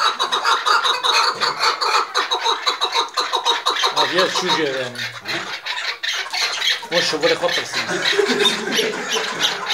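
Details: Five chukar partridges (Alectoris chukar) squabbling and fighting give a dense, harsh chorus of rapid agitated clucking squawks, about two a second, with a man's voice speaking partway through.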